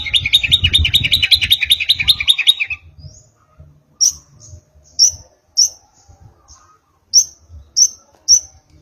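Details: Young kept long-tailed shrike, just out of its spotted juvenile plumage, learning song material: a fast dense chattering run for nearly three seconds, then sharp high chip notes repeated about every half second with gaps.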